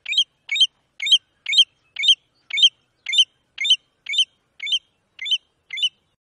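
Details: Batuiruçu, the American golden plover, in Brazil, giving a regular string of about a dozen crisp, high, chirping notes at close to two per second, each with a bright, slightly bending pitch.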